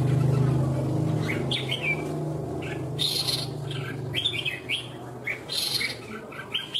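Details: Competing red-whiskered bulbul from Vietnam delivering quick, chirpy whistled notes in clustered bursts, with louder ringing phrases around the middle and a steady low hum underneath at the start.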